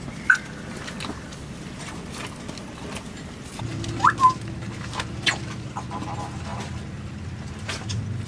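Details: A female African grey parrot living on a sailboat in the Caribbean gives a single short whistle, then a quick pair of rising whistled chirps a few seconds later, over a steady low rumble of wind and engine.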